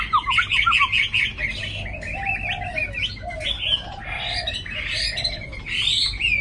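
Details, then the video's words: A Chinese hwamei, a tame well-singing bird, sings a loud, rich, nonstop song of rapid whistled phrases, trills and slurred notes, with some lower warbling notes underneath. "Mi thuần cb9106 sáng đẹp hót tốt"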